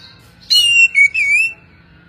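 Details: Oriental magpie-robin giving a short clear whistled phrase: a sharp high note dropping into a slurred, wavering whistle with a brief break, lasting about one second, then silence.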